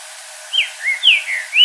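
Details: A green-winged saltator in the wild at dusk, changing its song, gives a quick phrase of five clear, slurred whistles, rising and falling, over about one second, with faint background hiss.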